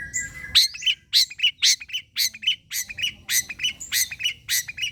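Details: Long-tailed shrike song used as a lure: a steady series of scratchy, chattering notes, each paired with a short downslurred whistle, repeated roughly three to four times a second.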